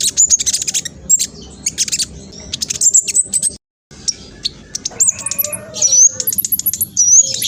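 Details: Olive-backed sunbird song, fast and busy, said to set other birds responding: shrill rapid chips and thin rising whistles, a brief silence midway, then more high sliding squeaks.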